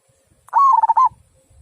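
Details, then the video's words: A single phrase from a local zebra dove with the prized big 'kung' voice: a rising onset, then a steady trilled coo broken into quick pulses, ending on a clear upturned note. "Mp3 Perkutut Lokal Suara Kung"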